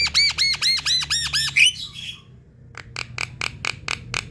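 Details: Javan myna calls meant to attract more of its kind: a quick series of about seven looping, ringing whistles, then a pause and a run of short dry clicking bursts.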